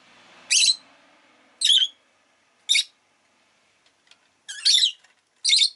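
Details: Rosy-faced lovebird calling with five loud, harsh, high-pitched chirps at uneven intervals, a soft low rumble of background noise fading out in the first two seconds.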